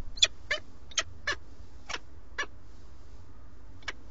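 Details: Peregrine falcon pair at a webcam-watched nest in Alcalá de Henares, near Madrid, Spain, 8 March 2017, male arriving with food: a quick burst of rasping notes that slows and thins out, the last calls widely spaced, faint hum behind.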